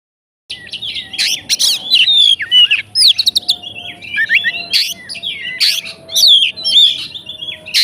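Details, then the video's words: Oriental magpie-robin, a fighting bird whose song is meant to provoke rivals, singing a loud varied medley of whistled slurs, sharp chips and mimicked phrases, with a faint steady hum underneath. "BUNYI BURUNG KACER FIGTER, FULL ISIAN KACER LAIN LANGSUNG ON"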